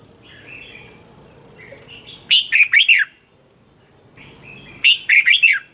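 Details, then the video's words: Red-whiskered bulbul song from Thailand, used to excite caged birds: soft warbling, then two loud phrases of four or five rapid, slurred whistles about two and a half seconds apart. "เสียงนกกรงหัวจุก สำหรับต่อ หรือ เปิดให้นกคึก เสียงเพราะๆ"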